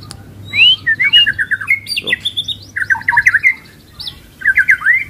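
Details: Caged White-rumped Shama at a West Jakarta bird shop, short-tailed and just finished moulting, singing loud, varied phrases of rising whistles and quick chattering trills, one after another, over a low steady hum.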